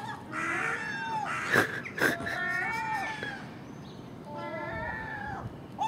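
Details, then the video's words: ['Early-morning common gulls squabbling over household garbage with a magpie and a crow: a string of long, nasal, mewing calls, broken by two sharp, harsh bursts near the middle.'] "Common Gull Magpie and Crow making noise at early morning"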